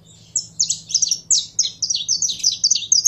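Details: Warming-up song of a captive saffron finch: after a brief quiet start, a quickening series of high, sharp, slurred chirps runs to the end, with a faint low hum.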